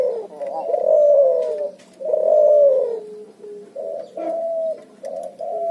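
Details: Hybrid of Barbary dove and spotted dove, known as cuhu, cooing in ngoar nguku style: two long swelling coos followed by a series of shorter, flatter low notes.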